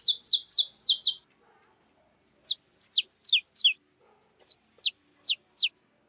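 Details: Free wild birds eating cracked corn at a home feeder give a run of five fast, sharp chirps, then spaced clusters of steeply falling, high, thin notes, with quiet pauses between bursts.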